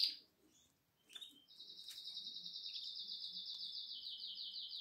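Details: Seven-day-old Atlantic canary nestlings, recorded 12 April 2022, give a sustained, high, pulsing buzz that runs unbroken for over three seconds and steps slightly lower near the middle, after a few brief chirps.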